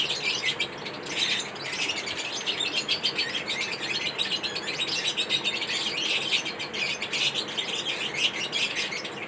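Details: Chirping from pet lovebirds feeding on corn: a steady, busy chatter of thin high-pitched chirps, several birds calling over one another without a break.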